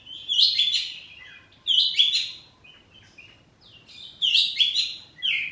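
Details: House-kept oriental magpie-robin singing loud, rich whistled phrases in three bursts about two seconds apart, each a tumbling mix of clear slurred notes and harsh squeaky elements over faint background hum.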